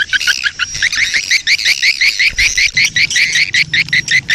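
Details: Swiftlets of a breeding colony, a recording used to lure the birds: crisp, evenly spaced chirps, roughly two to three per second, each a quick upward flick, with a low hum under the later part.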